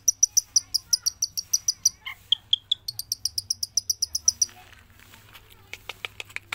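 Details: Caged-and-released Javan long-tailed shrike keeps singing non-stop, delivering rapid repeated high, bright pips, then a few sliding whistles, another quick pip series, and finally scratchy buzzy notes, over a faint background hum.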